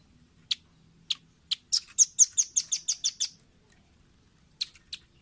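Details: Velvet-fronted nuthatch tutor recording for caged birds: a few spaced sharp chips lead into a fast rattling series of about nine high, bright notes, then two more single chips after a silence.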